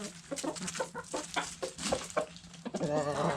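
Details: Backyard chickens eating food scraps, hens clucking in short repeated bursts about four per second, with pecking clicks and a louder harmonic squawk near the end.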